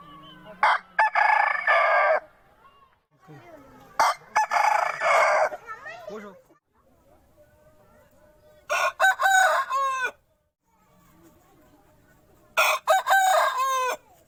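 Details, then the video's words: Aseel roosters crow four times, each a harsh, drawn-out call of about a second and a half, spaced several seconds apart with quiet gaps between. "Aseel Roosters Crowing"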